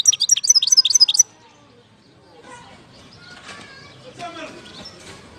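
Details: European goldfinch singing in Algeria, 2019: a fast burst of bright, twittering notes for just over a second, then near quiet with faint murmuring background sounds.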